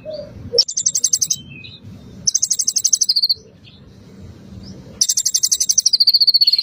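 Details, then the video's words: Bar-winged prinia song used as a lure to get a bird singing at once, said to be filled with mimicked cililin and pelatuk bawang phrases: three bursts of high, buzzy, rapidly pulsed trills, the last sliding down into a thin steady whistle, over low background hum. "Pancingan Konin agar langsung gacor"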